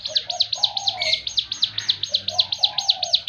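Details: Javan fulvetta singing in the "tembakan" style: a fast, steady series of sharp high chirps about four per second, with lower drawn-out whistled phrases sliding underneath and a faint low hum.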